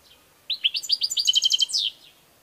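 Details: Single European goldfinch song phrase: a few sharp upswept chirps quicken into a tight, rapid trill of bright, buzzy notes, closing with a slurred fading note, in quiet surroundings.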